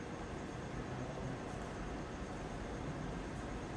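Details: Steady broadband rumble of vehicle or engine noise with no animal calls.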